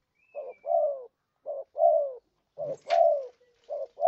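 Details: Spotted dove lure call used for trapping: paired coos, a short low coo then a longer, slightly falling coo, repeated about once a second, with one sharp click midway.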